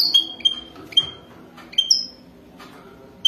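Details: Wild European goldfinch mating song, sparse here: a handful of brief, bright, high notes, some slurred and whistled, spaced unevenly with quiet gaps between them.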